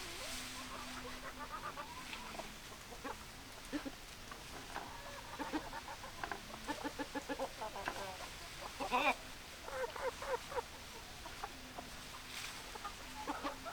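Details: Chickens clucking in a flock, a stream of short rhythmic clucks with a few louder sharp squawks near the middle, faint low hum underneath.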